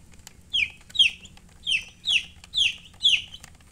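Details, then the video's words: Chicks peeping: six loud, piercing notes that drop in pitch, given about twice a second, with faint clicks and low hum in the background. "Chicks Chirping" Sound"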